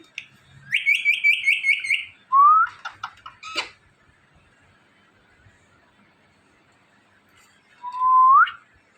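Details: Indian ringneck parakeet talking: a rapid buzzy rattle of repeated notes, two short rising whistled notes, clicks, a long silence, then one more rising whistle.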